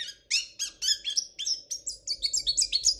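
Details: Goldfinch of the royal Spanish song type delivering a quick series of bright, slightly nasal chirps, about four per second, rising in pitch toward the end over a faint hum.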